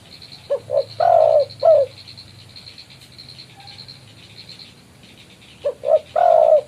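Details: Spotted dove calling its rival, used for lure trapping: two phrases of short coos ending in a long falling coo, separated by a pause, with a fast high chirping insect-like trill in the background.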